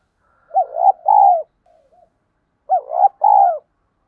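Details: Spotted dove lure voice of the 'giọng thổ đồng' style used to get newly caught birds cooing. Two phrases about two seconds apart, each with quick hooked notes and a sustained falling coo, with soft faint notes between.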